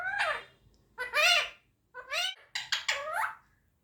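An Indian ringneck parakeet repeats a word in a high, squeaky, speech-like voice, five or six quick harmonic syllables over about four seconds, in a quiet room.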